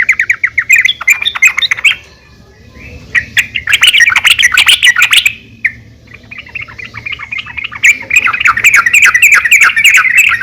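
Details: Calling female yellow-vented bulbul summoning a male, used as a lure: nearly continuous fast, warbling chatter of high notes, broken by two brief pauses, with scattered clicking sounds.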